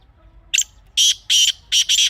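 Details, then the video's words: Loud grey francolin phrase for hunting calls: a short high note, a pause, then four rasping notes, evenly spaced, with the last two running almost together. The background is otherwise quiet. "تازہ تیتر کی اصلی آواز | Teetar Ki Real Voice"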